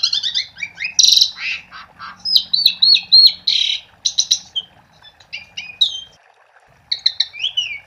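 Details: Lure song of an Asian pied starling for getting other starlings to sing: harsh rasping bursts mixed with rolling warbled whistles and quick chirps, varied and rapid, with a short gap before a final whistled phrase.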